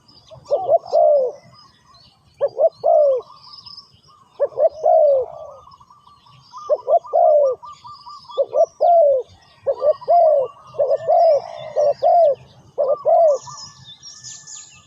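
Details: Spotted dove calling repeatedly: low, hollow coo phrases, each a stuttered short note and a longer falling croo, delivered in loose bursts every second or two, with faint high chirps of other birds behind.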